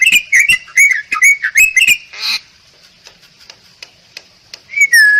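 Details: Bali myna song in a training recording of this rare, protected starling: rapid bursts of whistled and chattering notes with sharp clicks, a short harsh rasp, a pause, then a drawn-out whistle sliding down.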